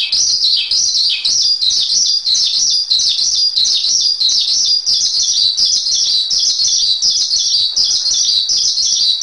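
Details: Steady high chirping from a Javan pied starling for masteran training: rapid twittered notes in short, repeated bursts, unbroken for the whole stretch.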